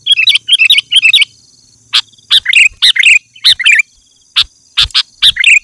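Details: Sooty-headed bulbul singing loudly to draw in wild bulbuls: three quick bursts of rapid chirps, then spaced, bubbling two- and three-note phrases under a steady thin hum.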